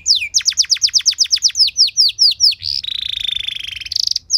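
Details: Canary song meant to provoke other canaries into singing: a steady series of loud falling whistles, followed by a long, fast rattling buzz and a final high note.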